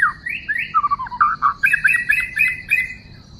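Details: White-rumped shama, wild, from a trapping recording dated 12/12/2016, gives varied rising and falling whistled slurs, then a steady run of repeated rich doubled notes at about four per second.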